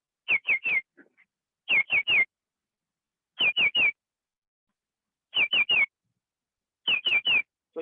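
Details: Green Shrike-Vireo at the Canopy Tower, Panama, a well-camouflaged forest-canopy bird heard calling every day, giving clear, high whistled triplets of three down-slurred notes, repeated every one and a half to two seconds.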